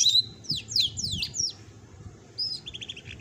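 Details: Adult female domestic canary kept as a pet, singing a broken soft roll (ngerol): thin high sweeping whistled notes in quick slurred bursts, then a short fast trill near the end, over a low background rumble.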